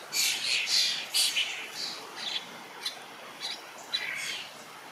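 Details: Begging starling young in a berry bush, fed by an adult, produce a rapid run of harsh, noisy screeches that shorten into clipped rasping notes.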